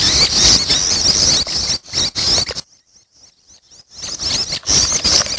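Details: Young red-headed prenjak begging: harsh, hissy high chatter in dense bursts of about a second, a near-silent gap of just over a second, then the raspy chorus resumes.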